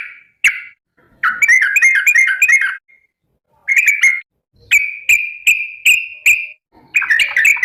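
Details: Yellow-vented bulbul calling to companions: a long wavering chattered phrase, a shorter one, then a string of five short level whistles and a final chatter.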